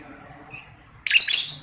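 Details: Young balibu lovebird used as a lure to draw answers from other lovebirds: a soft high chirp, then a sudden loud, harsh, rasping squawk burst lasting over half a second.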